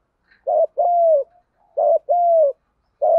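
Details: Fighting coos from a spotted dove, field-voice style, meant to provoke wild doves. A short low note is followed by a drawn-out, slightly falling hoot, repeated twice, then a clipped start of a third phrase.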